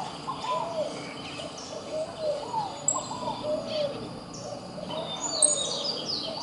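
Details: A courting pair of scaled doves (Columbina squammata) in Brazil give soft, hollow coos in short repeated phrases at a low, even pitch, with thin high chirps of other birds behind.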